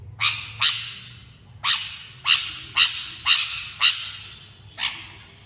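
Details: Sun conure giving eight short, harsh, grating screeches over about five seconds. The calls come at uneven intervals, some close together and others after a pause, over a faint low hum.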